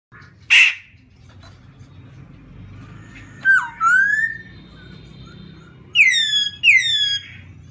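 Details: Laughingthrush song meant to provoke another bird: a sharp burst near 0.5 s, then rising and falling whistled notes with strong harmonics around 3.5–4 s and two clear downslurred whistles near 6–7 s, over a low indoor hum.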